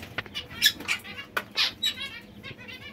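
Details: Young white zebra finches give short, nasal, buzzy chirps in quick irregular bursts, several in three seconds, mixed with soft fluttering of wings.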